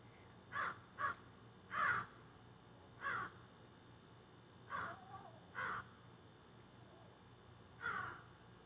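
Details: Backyard crows in nearby trees, filmed by phone, give irregular harsh caws, several in short clusters, with a softer call between them and faint background hum.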